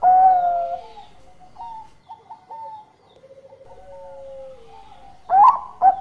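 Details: Zebra dove, an actively singing bird, for luring: a loud drawn coo, then soft warbling and lower falling notes, ending with two sudden loud bursts.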